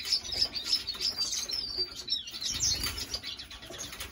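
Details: Hybrid of a goldfinch with a female canary giving continuous high, twittering warbled song, notes tumbling quickly and unevenly, with a soft low rumble in the background.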